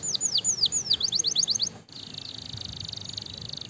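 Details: Canary song used to stimulate other canaries to sing: a series of high descending whistled sweeps speeding into a quick run of notes, then a steady rapid buzzing roll, over faint background rumble.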